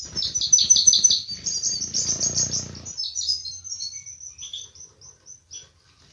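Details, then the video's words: Mating song of a European goldfinch, said to make a female adopt a mating posture: quick series of high, liquid twittering notes in fast runs, trailing off into spaced single chirps with a low hum briefly behind. "بتبتة بعد سماعها تتخد الأنثى وضعية التزاوج+صوت التزاوج goldfinch chardonner hason"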